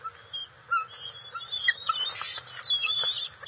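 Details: Juvenile bald eagles at the NCTC nest on June 29, 2021, scuffling and sharing during eel and fish deliveries: scattered thin whistled chirps and squeals over rustling, flapping noise.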